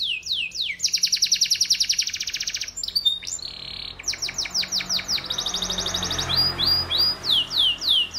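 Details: Canary delivering a rich song of quick falling chirps, a long even rattling roll, short whistled sweeps and renewed chirp series, with soft low background noise.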